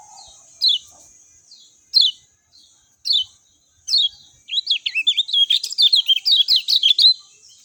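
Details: Lemon-bellied white-eye gives four sharp descending whistles about a second apart, then breaks into a fast, jumbled run of bright warbling notes, over a steady high-pitched hiss.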